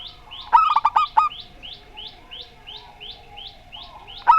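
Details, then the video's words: Zebra dove, a local Rondo Semoyo singer heard with an oddly voiced rival, giving a rapid string of staccato coos. A steady series of high, thin chirps from another bird repeats about three times a second behind it. "Perkutut Lokal Rondo Semoyo VS Perkutut Suara Aneh"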